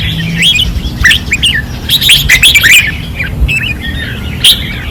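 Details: Fierce song of caged red-whiskered bulbuls at a Pattani training perch in 2024: quick slurred whistles rising and falling, bunched into a lively burst near the middle, with low background hum.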